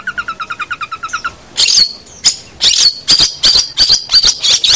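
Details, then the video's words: Master song of a long-tailed shrike: a quick even trill of about a dozen notes, followed by a series of loud harsh, scratchy rasps with whining overtones, irregularly spaced. "Masteran Suara Pentet Cendet"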